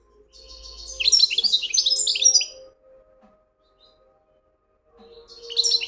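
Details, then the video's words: European goldfinch performing wedani song, a dense two-second burst of sharp, tinkling high twitters and trills, followed by silence and the start of another bright phrase. "مقنين ويداني"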